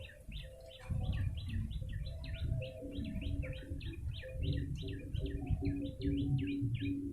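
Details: Chattering run of a yellow-bellied prinia, used to lure birds: crisp short chirps repeated rapidly and evenly, layered over low droning tones and rumbling noise.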